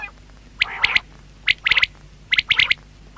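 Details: Batair, or common quail, delivers rapid sharp triplet phrases almost back to back. The first phrase is overlaid by a brief rough note, and the background is otherwise quiet.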